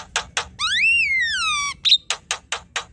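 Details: Javan myna chatter, played to prompt a reluctant bird to sing; a single long whistle that rises then glides down, set between evenly spaced sharp clicks.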